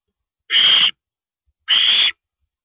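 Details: Owl at night, 1:27 AM on April 9, 2012, on a live owl camera during a meal of rabbit; two long, noisy hissing shrieks about a second apart, with otherwise silence.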